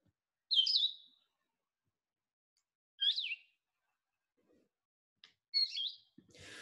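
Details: Blue-headed Vireo singing slow, clear slurred phrases in the upper range, one about every two and a half seconds, with pauses between; it sounds slower and shyer than a Red-eyed Vireo's song. A faint noise follows at the end.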